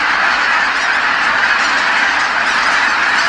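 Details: Geese by the tens of thousands return together to Kabukuri-numa marsh at dusk after feeding, calling as they come: a dense, unbroken wall of overlapping honks that fills the air with no pause.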